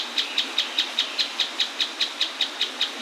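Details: Mouse-colored tapaculo close to a waterfall in the Atlantic Forest, giving its song as a rapid, regular string of bright, high-pitched notes, about fifteen in three seconds, over the hiss of falling water.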